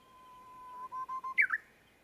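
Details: Japanese bush warbler song with a low, level whistle that breaks into three short pulsed notes, ending in a bright, tumbling two-part flourish.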